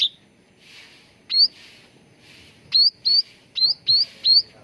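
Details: Grey-bellied bulbul lure song for training birds to sing: single bright rising whistled chirps, then a quick series of five upswept notes about every half second, over soft background hiss.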